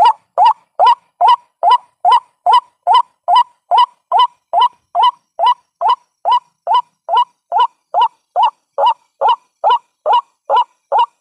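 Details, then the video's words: Long regular series of white-breasted waterhen calls used to attract waterhens: loud, nasal, upward-inflected notes repeated over twenty times at a steady pace of about two and a half per second. "WHITE BREASTED WATERHEN SOUND"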